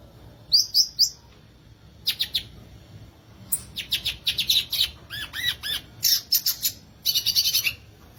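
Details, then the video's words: Violaceous euphonia, called gaturamo verdadeiro or guriatã, singing a rich, fast song of high chirps, buzzy notes and short rising-falling whistled phrases, delivered in bursts with brief pauses; quiet background otherwise. "Belíssimo Canto do Gaturamo Verdadeiro, ou Guriatã"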